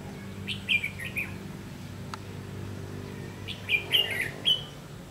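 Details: Red-whiskered bulbul calling during decoy trapping, 30 May 2016; two quick bursts of three or four bubbly, slurred whistled notes, with a single sharp click between them and a low hum throughout.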